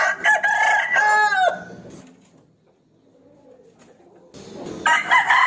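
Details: Rooster crowing as a challenge to an opponent, a crow ending with a downward slur, a quiet pause, then a fresh crow begins.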